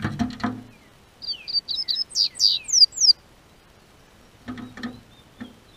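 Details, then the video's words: Warming spring weather in Brazil's South Region brings this Double-collared seedeater's song: clattering knocks, then a brisk run of piercing high whistles rising in loudness, followed by more scattered knocks. "O Tempo Esquentou, COLEIRO Cantou"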